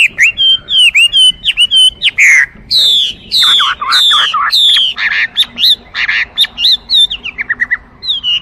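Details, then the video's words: Chinese hwamei in loud, varied song: looping whistles, long descending slurs, harsher chattering notes, and quick clipped phrases; low background noise. "画眉鸟的声音 The Voice of a Thrush"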